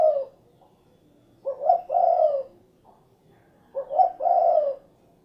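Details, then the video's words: Low rolling coos of a spotted dove: the tail of one phrase, then two full phrases, each a short lead note followed by a drawn-out purring coo, about two seconds apart. "SUARA BURUNG DERKUKU / CUKURUKUK KUK GERUK"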